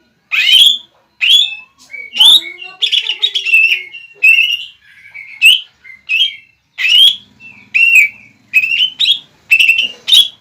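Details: Greater green leafbird kept in a cage, singing to provoke another bird into replying: a run of loud bright whistles, slurred warbles and chattering notes in short bursts, with a faint low hum behind part of it.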